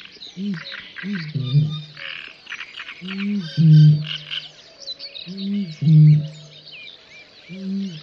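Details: Great bittern (Botaurus stellaris) booming in Volgograd Oblast, Russia, in May 2019: deep, hollow, foghorn-like notes in short series, repeated every couple of seconds, over a busy chorus of higher songbirds.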